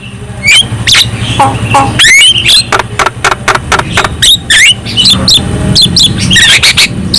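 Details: Javan myna song meant to provoke other mynas: rapid clicks, scratchy squawks and curling whistles over a low rumbling background noise.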